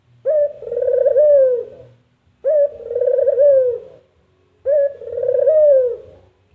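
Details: Three measured coos from a puter dove, about two seconds apart, the call imitated as 'mpuk jerruuuuuu'. A quick opening note runs into a long, husky, quavering coo that bends downward at the end.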